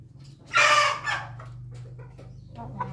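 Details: Red-combed rooster, recorded on 20 May 2024, gives a loud, harsh crow burst lasting about half a second, then a shorter trailing note. A steady low hum runs underneath, with faint small-bird chirps.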